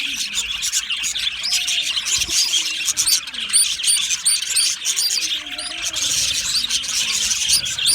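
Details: Budgerigars, described as lonely and calling for contact or attention; rapid, insistent high chirps over a dense chattering bed, with faint low gliding tones beneath.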